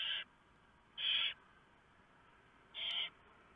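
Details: Barn owls feeding owlets at the nest in the night of 3 November 2015, prey a huge mouse brought by the male; three loud, breathy hiss-screeches, each about a third of a second long.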